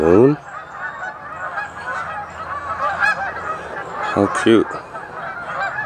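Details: Live geese making noise: a loud harsh honk opens, followed by a steady noisy murmur of background calls, then two more short honks near the end.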